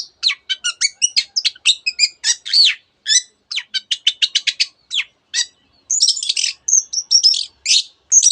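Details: Long-tailed shrike singing densely with mimicked canary and other bird notes: a rapid string of sharp, high chips, then thin, very high whistles and buzzy trills.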